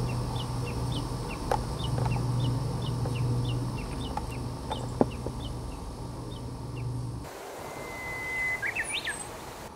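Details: A Japanese bush warbler sings from a dead branch tip. Rapid high chips from other birds and a low droning hum fill most of the recording. The warbler's steady whistle and quick looping phrase come near the end.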